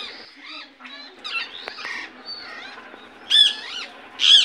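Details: Indian ringneck parakeet making varied softer chattering notes, then two loud, ringing screeches near the end.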